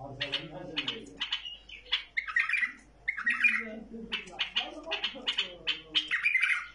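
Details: Tamed bulbul giving rapid chirpy warbling phrases over low background murmuring voices, notes clustered in quick repeated bursts.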